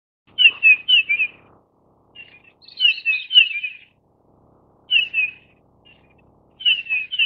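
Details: Grey-headed Bullfinch of the Taiwan-endemic subspecies Pyrrhula erythaca owstoni, found in high mountains above 2000 m, giving clear, down-slurred whistled notes in quick bursts of three or four, repeated every second or two against a quiet background.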